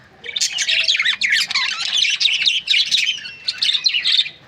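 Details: A budgerigar from breeding pairs warbles a fast stream of high chirps and squeaky whistled slurs in clustered phrases.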